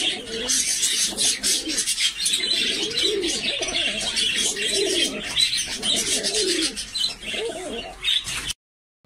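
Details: Jafari pigeon, described as the world's smallest kind of pigeon: low, soft, curving coos repeated in quick bursts for about eight seconds, under a steady bright hiss of high chirping, then a short silence at the end.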